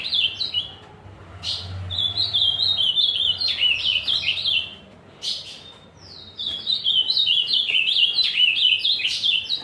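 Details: Vigorous azulão singing in warbled bursts of rapid rising and falling notes. Two short pauses break the song into three phrases.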